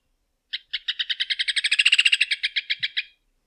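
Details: Rufous hornero song, the João de Barro's rattling series of sharp metallic notes that quicken into a rapid trill at mid-song, then slow and fade to separate notes over about two and a half seconds.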